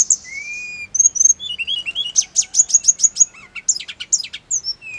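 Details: Hill blue flycatcher song used to make caged birds answer quickly and excitedly: a long thin whistle, lower slurred notes, then a fast series of evenly spaced, sharply falling high notes.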